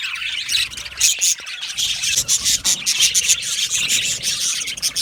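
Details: Australian budgie parakeets kept as an aviary colony, giving a thick wash of warbling chatter punctuated by thin, pure whistled chirps and brief clicks.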